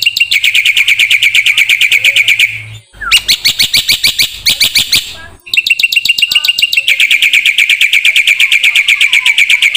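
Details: Training song of a black-winged starling for songbirds: long, fast chattering runs of high repeated notes with two brief breaks, the pace staying steady and busy throughout.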